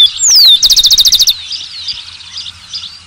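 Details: A falling whistled note from a rufous-collared sparrow runs straight into a fast, evenly spaced trill of about ten notes, followed by fainter chirps and warbles from other birds.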